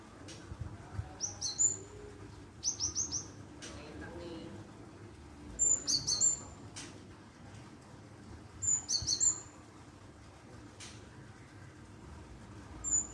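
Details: Java sparrow call played to coax a reply: short bursts of three to four high, sharp chipping notes, repeated about every three seconds, with soft background noise between bursts.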